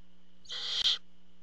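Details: Barn owl at the nest cam as the father brings a treat: a single rasping screech of about half a second that swells and ends abruptly, against a faint hum.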